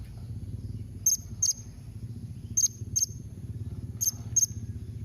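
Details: Blue-crowned hanging parrot calls meant to make other birds answer: very high, short, piercing notes given in three evenly spaced pairs over a steady low hum.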